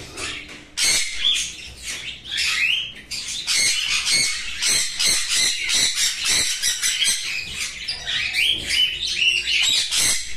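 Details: Hand-fed cockatiel giving a rapid, continuous stream of harsh, raspy squawks with hardly a pause.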